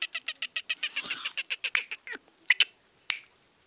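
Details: Young male Sindhi black francolin in an excited state, giving rapid dry clicking pulses about six per second, then a brief pause and a few louder isolated clicks.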